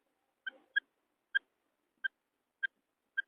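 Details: Calls of a female quail: six short, sharp, piping notes spaced roughly half a second to a second apart, each clean and even in pitch, with silence between.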